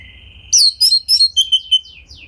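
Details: Domestic Oriental magpie-robin singing a gacor lure to draw song from other magpie-robins: a thin steady whistle, then loud sharp chirps and squeaky notes, and a trailing series of softer falling whistles.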